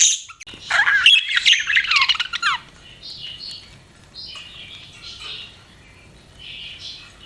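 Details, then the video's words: Budgies giving a loud burst of scratchy, squawking chatter lasting about two seconds, followed by softer, quieter warbling notes trailing off. "BUDGIES CHIRPING SOUND"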